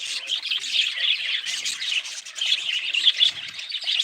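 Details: High, rasping budgerigar warbles and chirps pour out in waves, swelling and fading, with a few clear whistled squeaks.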